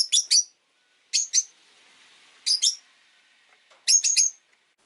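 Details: Rosy-faced lovebirds with orange faces and green bodies chirp in bursts of two or three shrill notes, each burst about a second apart, in a cage by a window with faint street hum between.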